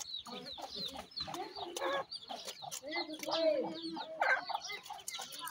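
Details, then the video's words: A group of grey francolin chicks chattering, with busy high twitters and peeps plus a few longer, lower drawn-out notes near the middle, over rustling sounds. "pheasant chicks talk,baby partridge are big great,titur k bachay"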